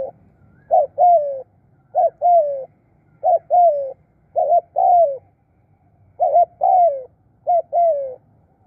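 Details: Spotted dove used as a trapping decoy, repeating its 'khu' and 'khrun' call in seven steady pairs of a clipped wavering note and a longer falling coo, about one pair per second, with a clean background.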